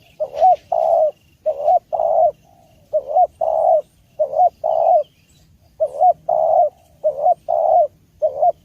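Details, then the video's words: Clear spotted dove call meant for training songbirds and luring: repeated phrases of a short bent coo followed by fuller longer coos, rhythmic and steady over nearly nine seconds, with quiet background. "Masteran Burung Tekukur / Derkuku dengan Suara Jernih Cocok juga untuk Pikat"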